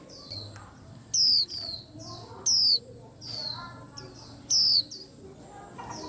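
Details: Several caged white-eyes in lively twittering, loud high descending whistles repeated roughly every second or two, overlapping softer falling chirps from other birds, with faint voices behind.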